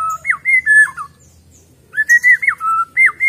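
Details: White-rumped shama, wild-caught, giving rich whistled phrases of held and bending notes, a brief silence, then more fluting, level and dipping whistles.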